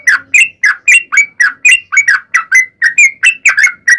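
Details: Trucukan, the sooty-headed bulbul, singing its fighting-style song used as a lure for other birds; dense, rapid bubbly whistles with rising and falling slurs, faint low hum underneath.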